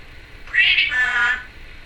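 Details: Female Timneh African grey parrot, a pet at home, giving one loud drawn-out harmonic call lasting about a second, nasal and meow-like with a rising start, amid quiet indoor background.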